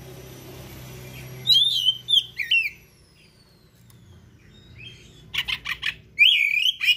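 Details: Oriental magpie-robin singing in gacor style: twisting whistled phrases, a pause, then a rapid stuttering burst of buzzy notes and bright descending whistles, over low hum.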